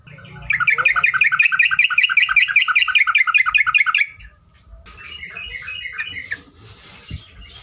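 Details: Long ropelan from a yellow-vented bulbul tutor recording: a sustained, very rapid run of repeated two-tone chirps lasting about three and a half seconds, then a softer, shorter warbled phrase and quiet background.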